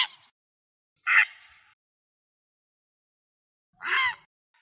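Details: Coots attacking a grey heron give three loud, harsh single calls, short and explosive, spaced one to three seconds apart with silence between them.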